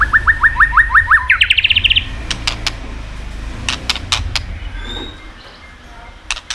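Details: White-rumped shama singing to provoke rival birds: a fast series of repeated whistled notes that steps up in pitch into a quicker trill, then sharp clicking tạch notes spaced apart.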